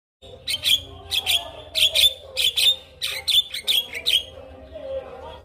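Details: Male Javan myna in song, used as a master recording for other mynas to copy; a run of loud, harsh broadband bursts with squeaky whistled notes, repeated about twice a second, then a quieter nasal tail.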